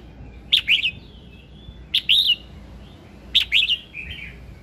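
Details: Red-whiskered bulbul in morning song, played to stir other birds into singing: three similar phrases roughly every one and a half seconds, each a sharp onset and a rising-falling warble, ending with a lower soft twitter.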